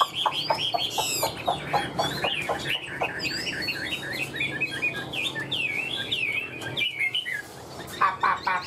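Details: Tame Chinese hwamei with a fanned tail and a good voice, offered for sale, singing a rich, varied run of loud whistled, looping and warbled notes in rapid phrases, mixed with sharp repeated clicking knocks.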